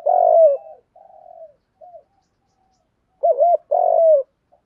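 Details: Lure spotted dove giving a provoking coo: opens on a loud long note, a few soft low notes, then a bright double looped coo and another long sustained note, in a quiet setting.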